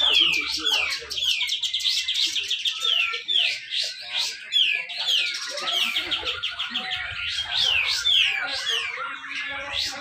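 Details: Grey-cheeked bulbul, called cucak jenggot, on competition poles in Malinau, North Kalimantan, with dense 'besetan rapet' singing used to coax reluctant birds. Rapid, continuous streams of falling whistles and sharp chirps repeat throughout, with faint low rumble.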